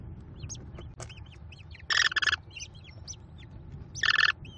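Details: Hungry American kestrel chicks at a Cornell nest during a feeding by their mother, 18 May 2021: scattered high squeaky chirps broken by two loud, harsh, buzzy screeching bursts about two seconds apart.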